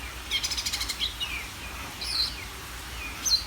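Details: Greater green leafbird song opening with a fast stuttered burst of high notes, followed by sliding whistles and a bright chip at the end, against a quiet low rumble.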